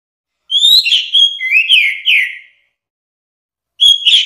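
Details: Orange-headed thrush whistling a two-second phrase of gliding, slurred notes that drop lower toward the end. Silence follows before the next phrase begins. Recorded as a tutor song for training songbirds.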